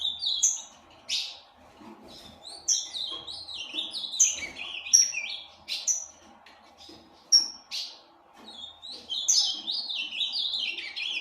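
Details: Breeding Ultramarine grosbeak in an aviary sings repeated phrases of clipped, slurred whistles with sharp downward strokes, pausing between bursts and closing in a long, rapid warble.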